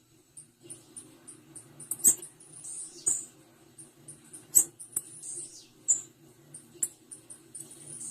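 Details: A female blue-black grassquit gives high-pitched squeaky chips, scattered irregularly and sometimes run together into brief twittering bursts, with occasional sharp clicks and a constant faint low hum.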